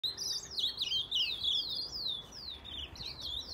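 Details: Ultramarine grosbeak (azulão) singing in an aviary: a fast run of high whistled notes sliding downward, phrases repeated in quick succession over faint background hiss.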